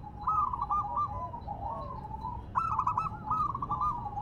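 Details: Silver zebra dove singing while on the ground; softer, somewhat distant rolling trilled coos, two phrases roughly two and a half seconds apart, over a noisy background.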